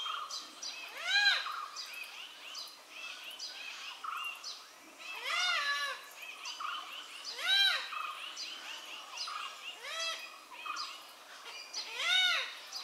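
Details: Malabar grey hornbill calls: repeated arched, harsh-edged notes rising and falling in pitch, several bursts spaced two to three seconds apart, over busy background birdsong.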